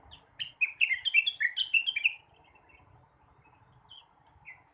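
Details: Morning song of a blue-winged leafbird, one quick tumbling run of sweet slurred whistles and chattery notes for about two seconds, followed by a few isolated soft notes in near silence.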